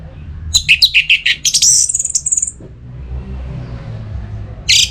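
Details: Orange-headed thrush (anis merah), a caged bird in breeding condition from Singaraja in north Bali, calling to a rival. A rapid burst of chirpy notes runs into a long, high, buzzy trill, then silence and one brief final note.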